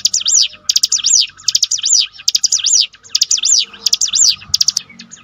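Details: Ciblek gunung, the bar-winged prinia, singing in a training recording meant to restore a downcast bird's mental strength: fast, high, sweeping zigzag notes in repeated phrases roughly once per second, separated by brief pauses and sharp chips.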